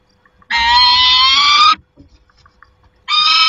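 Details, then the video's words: Peregrine falcon at its nest on 28 August 2021 gives a long, raspy, slightly rising scream over a second in length, then a quiet pause with faint rustles, then another scream begins. "Sokoły - Wrzaskun"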